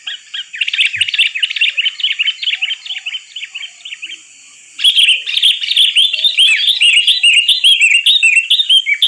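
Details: Lure for catching sooty-headed bulbuls, bird singing lively: steady stream of rapid, bubbling, slurred chirps, a brief quiet gap, then an even louder run of chattering notes.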